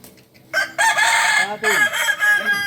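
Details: A practice crowing contest for kukuak balenggek chickens in Panyakalan, Solok. Loud, bright crows begin after half a second and continue in overlapping bursts, with a spoken voice gliding beneath them.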